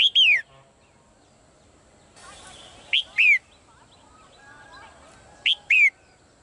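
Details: Caged female bird in Thailand giving clear, downward-slurred whistled calls. Each phrase starts with a short note and ends in a longer falling note. Three phrases are heard, with a brief hiss of noise between the first two.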